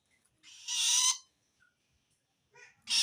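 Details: Long-tailed shrike calling wild shrikes, a call meaning it feels threatened by another shrike; one loud, harsh, hissing screech after a brief softer lead-in, then quiet and the start of another burst.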